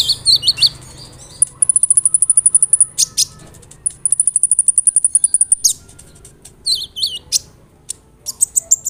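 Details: Olive-backed sunbird (kolibri ninja) song played to draw replies from other sunbirds: squeaky high phrases, then long, rapid, buzzing trills of sharp ticks, followed by scattered chirps.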